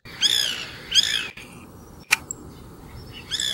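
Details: White Woodpecker (Melanerpes candidus) gives three short bursts of harsh, nasal, laugh-like chattering notes, the first two about a second apart, the last after a pause, with a sharp click between; used to communicate with other woodpeckers and mark territory.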